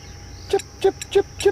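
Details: Blacksmith Lapwing calling on a still late-September evening during a safari drive, giving four short, sharp metallic 'chink' notes about three per second, like a hammer on an anvil, over a faint steady insect hum.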